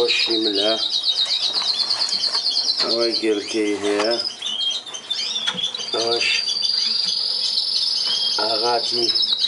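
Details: Melanin canary song of high rolling trills and a sustained buzzing roll near the end, interrupted by bursts of a man's loud speech.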